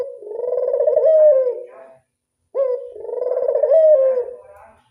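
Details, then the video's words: Local Barbary dove in classic angungan voice, two long vibrating low coos with a slight rise near the end, split by a clean pause of about half a second. "Angungan burung puter lokal suara klasik"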